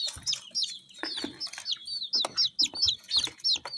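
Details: Several colourful baby chickens peeping quickly, about four shrill, down-slurred chirps a second, each clear and separate, with light tapping between notes.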